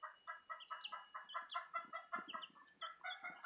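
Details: Peeping from Southern Rambler chicks and a Golden Comet chick, a steady stream of short bright chirps about two or three per second, with higher thin cheeps layered above and soft rustling beneath.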